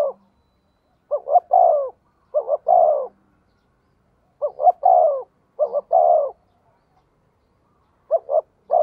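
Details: Calling decoy spotted dove: spaced, repeated phrases of two short notes and a long sliding coo, separated by clean silences of about one to two seconds.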